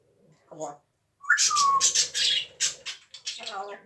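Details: Coughing from a pet parrot indoors: a low murmur, then a brief falling whistle running into a string of rough, rapid hacking bursts that end in a lower throaty note.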